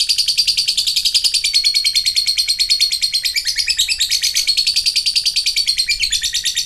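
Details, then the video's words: Long ngekek from a lovebird: a fast, unbroken chatter of sharp, high pulses repeated about three times a second for the whole stretch, steady in pitch. The recording is used to rouse lovebirds that have stopped singing. "ngetik ngekek panjang jadikan Lovebird macet aktif ngekek lagi"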